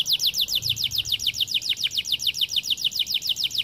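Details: White canary singing a steady rolling trill of quick downslurred high notes, about three or four per second, repeated evenly through the whole stretch.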